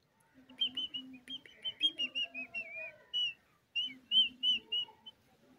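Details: Indian ringneck parrot kept as a pet, interacting playfully with its reflection in a mirror; thin high whistles and short chirps, some rising and falling, alternating with low murmuring notes in an uneven run.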